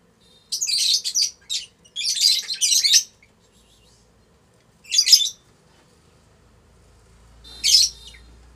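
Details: Adult lutino Fischer's lovebirds, a bonded pair, making love in their house: loud bursts of fast, scratchy, high twittering lasting a second or so each, separated by silent gaps, four bursts in all.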